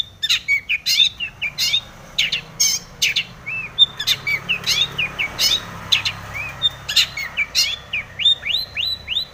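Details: Long-tailed shrike in full fill-in song, played to rouse other shrikes into singing: continuous chattering stream of sharp clicks, chips and quick rising whistles, densely repeated with only brief breaks.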